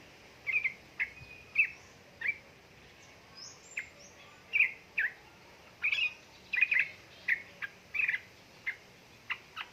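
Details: Yellow-vented bulbul, a female calling a male, used as a lure to stir lazy young birds into singing; a fast, lively rattling style. Short bursts of sharp chattering notes come every half second or so against a quiet background.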